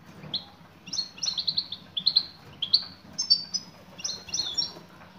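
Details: Calling female European goldfinch, meant to attract a male, delivers a busy run of high twittering chirps, several notes per burst, almost continuous across five seconds; soft low hum behind.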